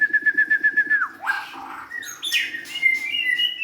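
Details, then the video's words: Young White-rumped shama of forest origin starts with a quick even series of short whistled pips, followed by a noisy swoop and a level whistled note. "kicauan murai batu"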